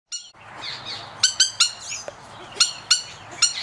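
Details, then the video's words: A male trumpeter hornbill at an aviary in Oregon, USA, gives loud, nasal, high squealing notes in quick bursts of two or three, with faint chatter of other birds behind. "Trumpeter Hornbill (male)"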